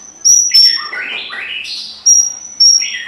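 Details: Fighting song of a White-rumped shama meant to rile other shamas: piercing high steady whistles repeated three times, with softer slurred notes sliding upward between them.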